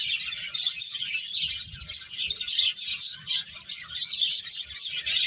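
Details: A crowd of birds chirping and tweeting in high, rapid, overlapping notes, the chatter rising and falling in waves, with quiet low background noise.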